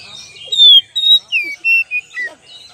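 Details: Kacer lure song: sweet, clear oriental magpie-robin whistles, some held level and some slurring down, six or seven notes given quickly in a varied phrase, with soft chatter in the background.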